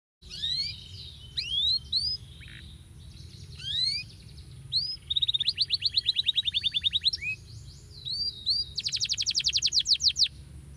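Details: Male canary singing, used as therapy to get stalled canaries singing again: bright whistled upslurs and buzzy trills at high pitch, with short pauses and a rapid rattling roll near the end, over faint low hum.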